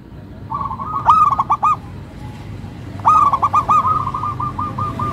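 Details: Local zebra dove, melodious rhythm: two loud phrases of sharp staccato coos, the second running into a long even series of rolling pulsed notes.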